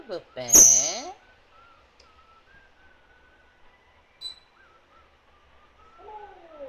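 An African grey parrot gives a loud, voice-like burst with a shrill whistle on top, then quiet tones, a short click and a falling note.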